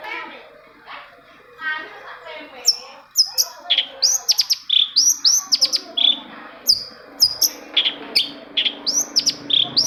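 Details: Long-tailed shrike song played to get silent shrikes singing: after a soft start, a lively run of sharp metallic chirps and short upswept whistles, delivered rapidly and unevenly, with a faint steady hum beneath.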